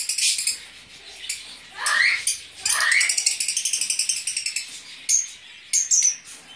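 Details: A captive breeding group of Fischer's lovebirds in mixed violet and blue colours chatters with shrill, high notes and two rising squeaks, then a fast run of clipped chips and sharp bursts.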